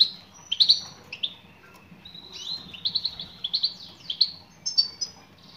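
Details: Female European goldfinch calling to a male: repeated high, sharp chirps in small groups, flowing into a lively twittering series with slurred, bouncing notes and faint hum behind.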